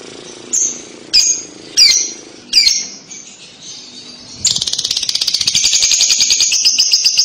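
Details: Lovebird kekek, a recording meant to provoke a young lovebird into answering: a few sharp, high screeching chirps, then from midway a fast, continuous rattling chatter of rapid pulses that runs to the end.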